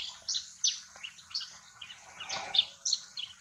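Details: Yellow-throated sparrow (chestnut-shouldered petronia) in Purulia, West Bengal, India, in November 2019: quick, high chirps at an irregular pace, several each second, with faint background twittering.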